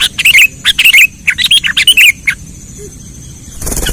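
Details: Sooty-headed bulbul lure call for trapping: quick, bubbly chirps repeated nearly twice a second for about two seconds, followed by silence and then a sudden burst of broadband noise at the end.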